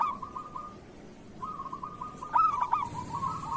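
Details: A local zebra dove in kerot song, played to coax reluctant doves into singing: steady soft purring trills broken by one loud stammering coo cluster near the end.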